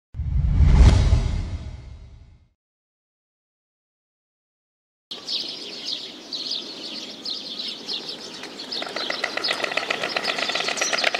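White storks clatter their bills in a fast, dry rattle of wooden clicks. A low rumbling gust comes first, with faint chirping and outdoor noise behind.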